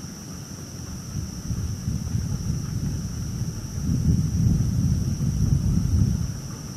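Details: Low rumbling wind buffeting a microphone outdoors at night, with a faint steady high whine and no animal call.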